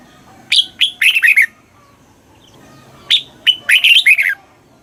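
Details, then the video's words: Red-whiskered bulbul in Thailand, southern master-song style, used to stimulate caged birds and teach young birds: two bright phrases of quick warbled, slurred notes, each opening with a sharp high note and ending in a rolling downward flourish, separated by a quiet gap. "เสียงนกกรงหัวจุก ร้อง ริก เปิดให้นกฟัง ยั่วให้นกคึกจัด chao mao hot, chào mào hót"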